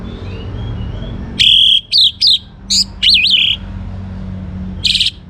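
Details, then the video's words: Young orange-headed thrush from Bali, kept as a lure for other songbirds, pours out varied loud whistles: a sustained high note, two clipped notes, a wavering warbled phrase, then after a pause one final buzzy burst. "ANIS MERAH Muda Gacor Untuk Pemancing Burung Berani Berkicau"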